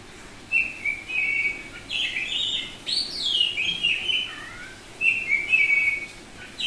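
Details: Semi-tame oriental magpie-robin, the Bali form known locally as kacer, singing loudly and constantly: varied clear whistled phrases, some held, some sweeping down steeply, mixed with buzzy bursts and brief gaps between phrases.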